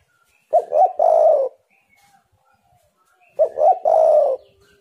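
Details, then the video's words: Spotted dove calling as a lure for wild doves: two phrases nearly three seconds apart, each a quick broken double coo leading into a longer, gently falling hoarse coo, with faint quiet coos in the gaps. "tekukur super gacor burung Liar pasti emosi"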